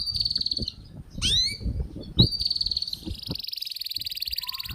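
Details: Canary singing for young birds in training: a long steady buzzy trill, a few loud rising sweeps, then another long even buzz, with low rumbling background noise.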